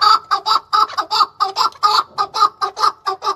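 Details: Chukar partridge male in Tajikistan, 2020, delivering fast, evenly spaced raspy chuck notes, roughly four per second, loud and close throughout.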